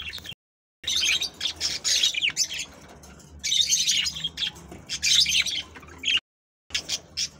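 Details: Budgerigar warbling song from Australian budgies, meant to stimulate breeding: bursts of fast, scratchy chirps and chatter in clusters of about a second, with brief pauses and a faint low hum behind.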